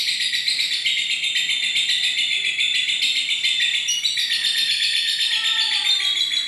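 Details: Lovebird giving a long, unbroken, high-pitched chattering song, a dense stream of rapid twittering notes with no pauses, plus a few brief whistled notes near the end.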